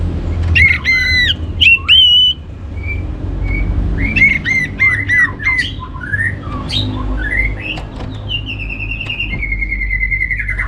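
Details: Orange-headed thrush in full varied song, played to stimulate other birds to sing: ringing whistled notes with rich overtones, rapid stuttering repeats, rising and falling slurs, ending in a long descending warbled trill.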